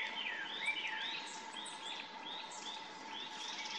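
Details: A male grey bunting (Emberiza variabilis) gives its ground call, said to resemble a Black-faced Bunting's: thin, high chirping notes, several a second at an uneven pace, over a steady low hum. Recorded 2 January 2022.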